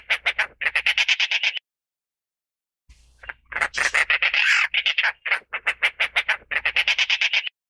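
A Dollarbird gives harsh, rasping chatters, fast runs of grating notes in bursts separated by a brief pause.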